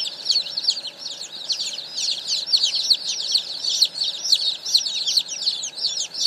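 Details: A hundred baby chickens that arrived in the morning, chirping as a crowd: shrill, brief downward-sliding peeps layered thickly over one another without pause.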